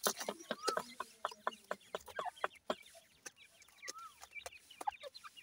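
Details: Grey francolin (dhakni teetar) chicks playing and fighting with Irani partridge chicks: short thin chirps and a few slurred whistles rising and falling, over dense sharp clicks and tapping scuffles throughout.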